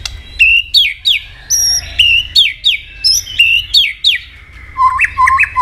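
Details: Energetic duel song from a white-rumped shama: a steady series of ringing whistles, each upslurred or dropping steeply, delivered about twice a second and ending in lower fluted notes.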